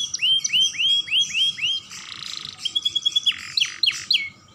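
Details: Song of a young canary used to stimulate other canaries: a steady series of rising whistled notes, a brief rasping noise, then a thin level trill and sharp downslurred chirps.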